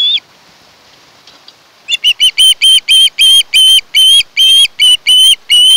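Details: An osprey at a Kent Island, Maryland nest watched by camera, 1 August 2018: one brief whistle, a pause, then about fourteen loud piping chirps repeated rapidly, some drawn out longer.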